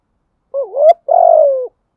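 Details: Lure song of a spotted dove for attracting wild birds: a wavering, dipping coo that rises to a sharp end, followed by a long, buzzy, gently descending note in a quiet setting.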